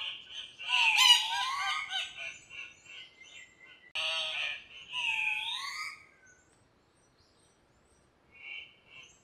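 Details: An Andean cock-of-the-rock (Rupicola peruvianus) gives loud, harsh, nasal squawks, several over about six seconds with rising and falling tones, then quiet except for two faint later calls.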